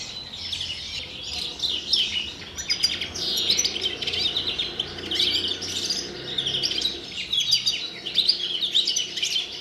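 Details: European greenfinch singing in the pre-breeding period: a continuous rapid twittering of chirps and short trills, high and bright, with brief louder bursts every second or so and no other clear sounds.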